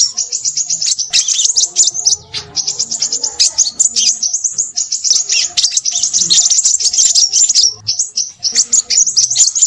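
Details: Crimson sunbird in busy, noisy song: a continuous stream of very high, rapid chirps and sharp twitters with only brief pauses.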